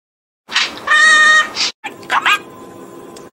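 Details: Talking pet budgerigar imitating a line from a controversial mayor: high-pitched, speech-like chatter with one sustained, tonal, harmonic syllable, a brief pause, then a few quick syllables and a fading murmur.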